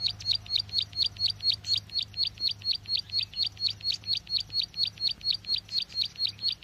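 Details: Lure call of a bar-winged prinia for trapping: loud, regular high chirps repeated about three times per second without break, over a low background hum.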